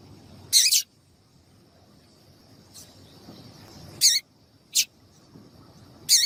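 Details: Calls of a female double-collared seedeater, used to warm up males for singing contests: brief, bright, high-pitched chips at irregular intervals, four loud ones and a few fainter, with a constant thin hiss behind.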